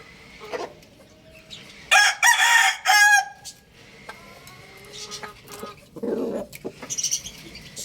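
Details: Young rooster crowing: a single loud, raspy crow of about a second and a half mid-recording, with faint clucking, short calls and background bustle around it.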